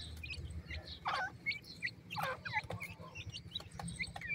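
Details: Sick black francolin chick, kala teetar, being treated, giving short high chirps and squeaky notes in scattered bursts, with a low steady hum underneath.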